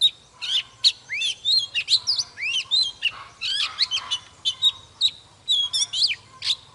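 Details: Mature wild-caught Oriental magpie-robin singing and displaying, fired-up morning song: rich run of looping whistles, upslurs and quick twittering notes in varied phrases, with a faint low background hum.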